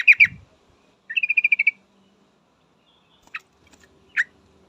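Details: Female yellow-vented bulbul calling for a male. Two loud sharp notes come first, then a brisk series of about eight chattering notes, and later two isolated sharp chips separated by near silence.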